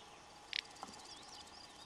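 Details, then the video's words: Little bustard in Extremadura, Spain, in May 2005, gives a single short, dry, rasping snort, followed by a faint click, over insect buzz and a thin, distant whistling bird. "Little Bustard"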